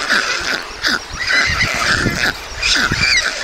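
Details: At a white stork nest in Mladé Buky, Czech Republic, 20 June 2022, during feeding of two chicks: repeated nasal, wavering calls in short bursts about every half second, with low rumbling noise beneath.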